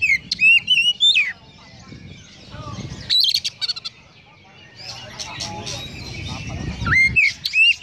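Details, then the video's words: Oriental magpie-robin singing with sparrow mimicry: slurred whistled phrases and quick chips in bursts, with a pause of busier chatter and background noise in the middle. "Kacer Konslet Full Isian Burung Gereja | Magpie Robin Singing"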